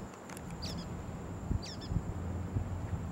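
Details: A Blue-gray Gnatcatcher calls on July 2, 2022: two thin, high, nasal call notes about a second apart, over a low wind-like rumble and a faint steady high whine.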